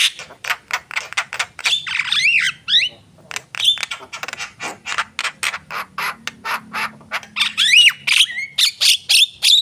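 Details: Javan myna in energetic song; rapid string of clicks and harsh rasping bursts mixed with squeaky upslurred whistles, delivered loud and almost without pause.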